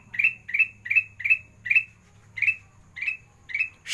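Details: Kutilang emas singing in the sandang garigit style, a training recording for birds that sing little: sharp chirped notes rising to a buzzy tail, given about every half second in a steady series with a few short pauses.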